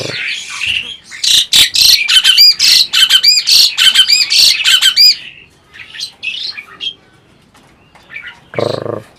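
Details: Adult Asian pied starling that appears to talk: a loud run of rapid, sharp, buzzy chattering notes for several seconds, then scattered softer chips and one low voice-like burst near the end.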